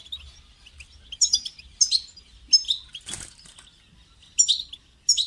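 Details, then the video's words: Caged European goldfinch calling, played to encourage a caged goldfinch to sing: high, tinkling twittered notes in short bursts about every second, with one brief broadband rustle or clatter midway. "votre chardonneret ne chante pas voila la solution"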